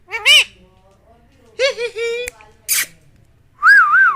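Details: Pet Indian ringneck parakeet, a talking bird, uttering harmonic speech-like syllables and a drawn-out nasal phrase, a brief noisy squawk, then a wavering whistle at the end, in a quiet room.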